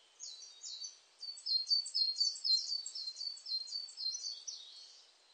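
Coal tit giving a rapid series of thin, high twittering notes, about four per second, slightly falling at the end; faint background hiss.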